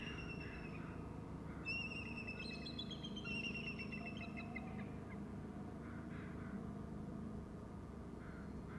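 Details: Bald eagle calling at its nest: a thin, high series of stacked, piping chatter notes runs for about three seconds, then fades, over a steady low rumble of background noise.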